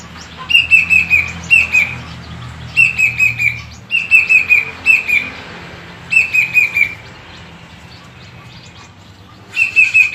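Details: Plaintive cuckoo kept as a cage bird, giving short phrases of three to four clear whistled notes that step slightly downward. The phrases are repeated every second or two with pauses between them, over a quiet low hum.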